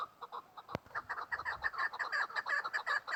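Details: Female chukar partridge giving hurried, clucking notes that quicken into a dense run, with one sharp knock early on.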